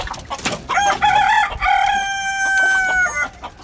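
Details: Rooster crowing in the early morning on a rooftop where chickens are kept: a long, loud harmonic crow that rises, then holds a steady drawn-out note for over a second before breaking off, with faint clucks around it.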